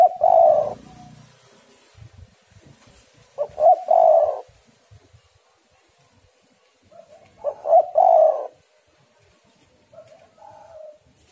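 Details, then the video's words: Spotted dove female, used as a lure to get males calling. Three soft, throaty coo phrases come about every four seconds, each a short note followed by a longer, fuller coo. A fainter higher coo follows near the end. "tekukur super gacor suara betina yang sedang sange"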